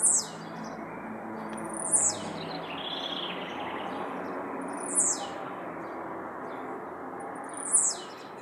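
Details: Blue-black grassquit released into nature, singing: very high, sharp, buzzy bursts about every three seconds, with quieter soft notes between and a steady background hiss.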